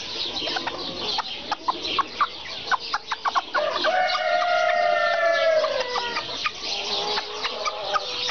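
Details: Serama chickens: a run of quick, evenly spaced clucks, then a loud, ringing crow lasting about two seconds that dips slightly at the end, followed by more clucking.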